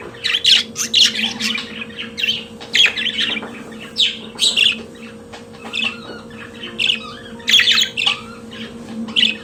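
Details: Budgerigar kept as a pet sings a long rambling series of short rasping chirps and squeaky notes, roughly two per second, with irregular gaps and a soft background hum.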